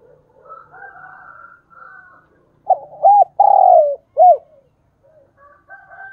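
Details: Decoy spotted dove calling in a thúc bổi coo. Soft faint notes lead into one loud mellow phrase of two quick hooked coos, a drawn-out falling coo and a short arched final note, then quiet murmurs.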